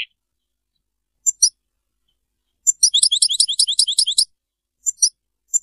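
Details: European goldfinch, Serfati-style singing, heard as a few isolated high tinkling chirps and one dense burst of sharp twittering notes amid quiet gaps.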